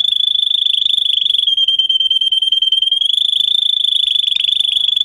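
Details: Russian canary, a breed kept for singing, with a tutor song for young canaries: an unbroken, rapid rolling trill, steady in pitch and very high, running the whole time with slight swells in loudness.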